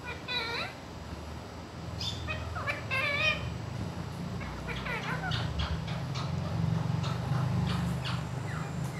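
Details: Pet rose-ringed parakeet speaking "mian mitthu" in Urdu and Hindi. Short, shrill, harmonic syllables come in small bursts through the clip over a strong low rumbling hum.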